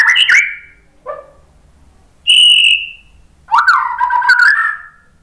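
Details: White-rumped shama lure song to prompt other shamas to respond: separate phrases of a short warble, a low note, a clear steady high whistle, then a sharp upslurred note and a wavering whistled run.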